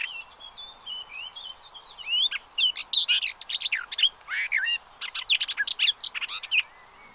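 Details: Pied avocets with chicks at the Séné nature reserve, Gulf of Morbihan, France, on 30 April 2023, heard from a bird observatory: soft chirps build into a dense chatter of sharp, clipped notes and short upward whistles.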